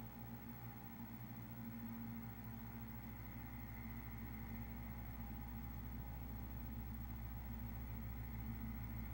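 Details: Steady low engine idling hum with a constant drone and no animal voices.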